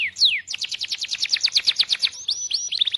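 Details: Belgian canary song for young birds: two falling whistles open a rapid even series of short notes, followed by a level whistled tone and a quick final trill.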